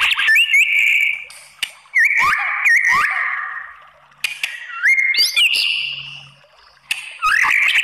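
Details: White-rumped shama song played to provoke rivals: separate phrases of rich whistles with upward swoops and hooked notes, spaced by short silences.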